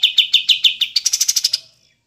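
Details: Cream-vented bulbul (kapas tembak) in a clear master recording for training kept songbirds: a rapid series of sharp chirped notes, about six per second, rising into a quicker, higher trill before fading to silence.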